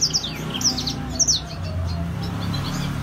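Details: Grey singing finch (blackthroat) giving a few bright, high chirps and quick downslurred notes in short bursts, then fading, with a low background hum.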